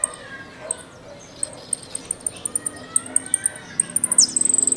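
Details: Argentine goldfinch (jilguero) singing in the 'golpe y pitadas' style: a run of short, very high ticking notes that speed up toward the end, then a sharp descending whistle followed by a rapid high trill.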